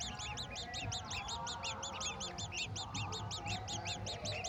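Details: While a golden oriole brings a mantis to its babies, quick high arched chirps pour out in overlapping rows, steady and insistent, with low rumbling noise underneath.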